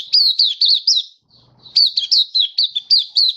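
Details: Happy open singing by a Malaysian white-eye, mata puteh, in Singapore on a warm sunny 20 March 2023; two bursts of brisk high chirps, roughly four per second, separated by a short pause.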